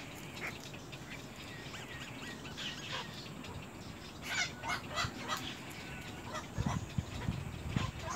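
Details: Little egret (Egretta garzetta) chicks fighting, squabbling with harsh, rasping squawks and clicks in short bursts, loudest midway, over a steady low rumble of background noise.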